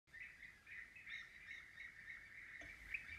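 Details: European bee-eater: a dense, continuous run of short rolling trilled notes, overlapping as if from several birds at once, with a sharper note near the end.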